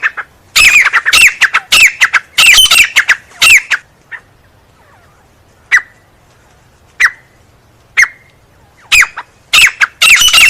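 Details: Grey francolin, teetar, giving loud harsh squawking calls in rapid clustered bursts, then spaced single sharp notes about a second apart, before another burst of rough repeated squawks; quiet background between calls.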